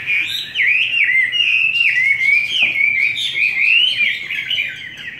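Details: Chinese hwamei singing in the forest-voice style, a bird raised on homemade feed: a continuous rich warble of sliding, looping whistled notes with rapid rises and falls, steady and loud throughout.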